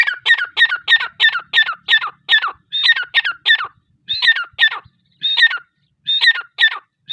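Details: A female teetar, grey francolin, delivers loud paired harsh notes repeated at a steady beat, pausing briefly twice before continuing the same rhythmic phrase.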